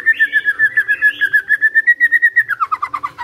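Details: Magpie-robin, a kept songbird, producing a fast even trill of about thirty-five repeated whistled pips at a steady pitch, dropping lower at the end.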